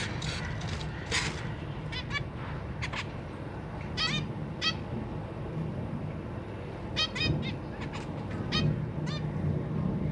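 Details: Caged zebra finches, a pair of parents feeding newly hatched babies alongside three juveniles. Short nasal, harmonic calls come in quick bursts and clusters of two or three, with gaps between, over a steady low rumbling background.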